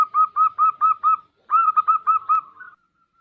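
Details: Zebra dove (perkutut, bodronoyo type) in full song, used as a lure for other birds: two rapid phrases of about five clipped, mellow cooing notes each, the second ending in a softer drawn-out trailing note, against a quiet background.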